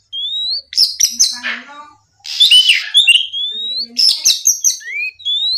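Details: Morning song of an Oriental magpie-robin, played to lure and provoke rivals: rising whistled notes mixed with harsh, scratchy bursts and quick chirps, with a brief pause midway.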